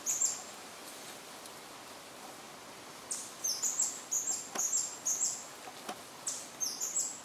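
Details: A White-bellied Emerald sings from a perch at BFREE, Belize, on 6 February 2013: very high, thin squeaky chips in short bursts, about two per second after a brief opening phrase, over a faint steady hiss.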